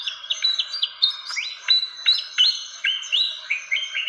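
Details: A fantail's lure call, used for bird trapping, gives rapid, high squeaky chirps and short stepped whistles that jump up and down in pitch, several notes per second with slight echo.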